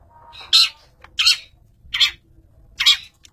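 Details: Long-tailed shrike master bird, labelled fighter, giving four loud harsh rasping squawks about every 0.7 seconds over a low background hum.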